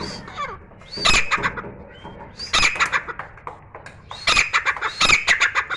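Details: Indoor Grey francolin singing on and off: short clusters of loud, harsh, clipped notes separated by quieter gaps with faint scattered chirps and room noise.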